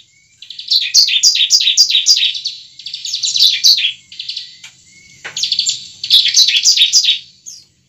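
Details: High-pitched bar-winged prinia fighting song, played to provoke a captive bird into singing and fighting: quick repeated downslurred chirps in several bursts separated by short gaps.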